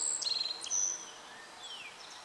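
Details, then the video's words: Song presumed to be a Black-faced Bunting, bird unseen, recorded 14 July 2013: a quick phrase of thin, very high notes with a short buzzy trill, then a fainter descending slur over a soft hiss. "アオジ"Emberiza spodocephala"の鳴き声。（囀り）"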